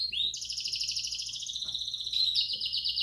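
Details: Belgian canary song meant to stimulate chicks: a rising note leads into a sustained, very fast high rolling trill, shifting pitch midway, with a faint click in the background.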